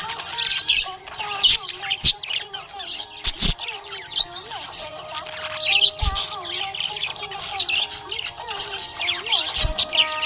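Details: Happy budgerigar chirping: dense, busy high twittering and warbled chirps, with sharp clicks now and then, over steady background music with gliding melodic tones throughout.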